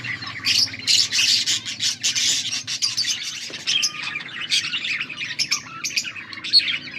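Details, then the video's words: Several budgerigars chattering on August 14, 2024, with quick bursts of high, buzzy chirps and warbling squeaks that come in uneven clusters, with a faint constant low hum underneath. "Budgies sounds for lonely birds birds chirping sounds"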